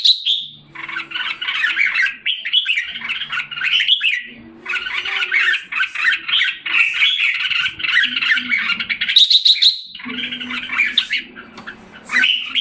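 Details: A captive red-whiskered bulbul kept in Singapore, filmed July 2017 as it regains form, delivers long bursts of rich, scratchy warbling broken by short pauses near four and ten seconds, with a soft steady hum in the background.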